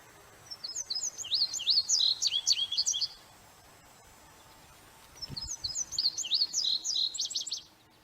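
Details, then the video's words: Two matching song phrases from an indigo bunting, each about two and a half seconds of rapid high paired notes and zigzag slurs, separated by a two-second pause. A soft low thump is heard between them. "Indigo bunting bird singing"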